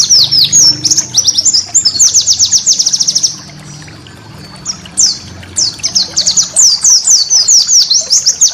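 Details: Cage-bird training recording of white-eye song: fast bright chirped trills, a quiet gap near the middle, then renewed bursts of high sweeping notes.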